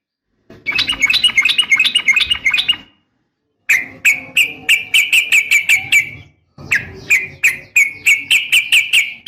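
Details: Female yellow-vented bulbul call meant to draw a male into singing: three bursts of quick, bright, repeated chirps, each around two to three seconds long, separated by brief pauses.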